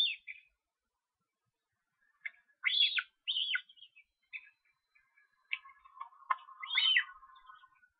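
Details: Young Osprey being fed at a nest in Estonia on 13 July: short, high, downward-arched chirps come in loose bursts every second or so, with softer clicking and scattered lower notes between them.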